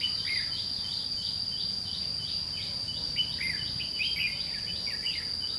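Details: Red-whiskered bulbul, white-cheeked, a decoy bird giving a scolding fighting song during a trapping session; short bright chirped and slurred notes repeated rapidly throughout, over a loud steady high insect whine and faint background noise.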